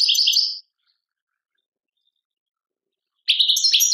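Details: European goldfinch from Tadmait, Algeria: a brief tinkling twitter, about three seconds of silence, then another rippling, buzzy phrase with a rising note.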